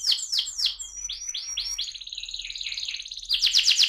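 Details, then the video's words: AF canary in ngerol song, a rolling style: several separate swooping whistles, then a softer fast warbling trill, ending with a burst of loud, sharp, quickly repeated high notes. "kenari AF ngerol"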